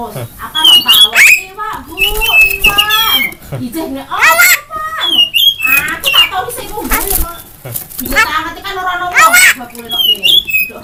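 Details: Strange vocal outpouring from an Asian pied starling, with piercing whistles, wavering squeaks and throaty, speech-like warbles tumbling together in uneven, nonstop phrases.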